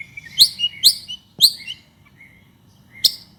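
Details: A vigorously singing ('gacor') white-rumped shama, its song meant to provoke other shamas into singing, gives short, sharp, high upswept chips in quick pairs, separated by thin whistled notes and brief pauses.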